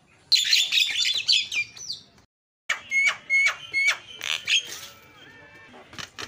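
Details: Javan myna calls used as a lure to set other mynas calling: dense harsh, scratchy chatter mixed with short whistles, a brief pause, then more grating notes and clear whistled slurs.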